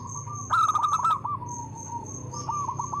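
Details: Local zebra dove, a loud singer with good rhythm, delivers a quick burst of stuttering coo notes followed by softer trailing notes, over a steady high-pitched whine and low background hum.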